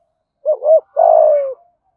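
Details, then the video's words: One full 'thúc gù' phrase from a spotted dove in Đồng Nai, Vietnam, sung in 'giọng thổ' voice: a rapid two-part warble, a brief pause, then a long steady low coo sliding slightly down at the end. "Chim cu gáy thúc gù giọng thổ bài bản nhất Đồng Nai"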